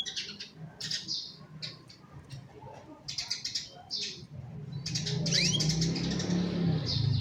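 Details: Young canaries, kept to train other canaries to sing, give bright rapid trills and chirpy phrases recorded on a cellphone, with a rising low rumbling background growing stronger in the second half.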